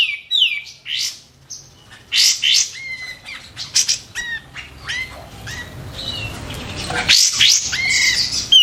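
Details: White-eared bulbul kept for songbird training, delivering a dense run of short, clear whistled notes that hook down, repeated about three times a second, loud and sharp, with hiss behind.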